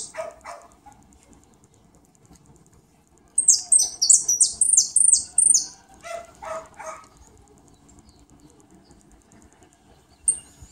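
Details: European goldfinch singing on a rainy day: a quick burst of very high, tinkling twittered notes, followed later by a few lower chirps and a single high note near the end.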